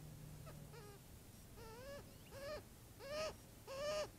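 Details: Adolescent Cooper's hawk drinking at a watering hole in the early morning, calling after noticing something in the sky just before its mother swoops down. A series of five nasal, harmonic whining notes, each rising then levelling, about every 0.7 s, growing louder, low background hum.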